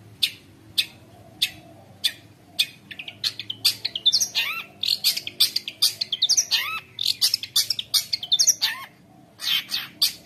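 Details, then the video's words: Long-tailed shrike (cendet) in energetic, continuous song meant to lure other shrikes and tutor juveniles: spaced harsh snaps build into a dense, rapid medley of buzzy chatter and rising whistled slurs. "CENDET GACOR KONSLET | cocok untuk masteran trotol cendet | shrike bird"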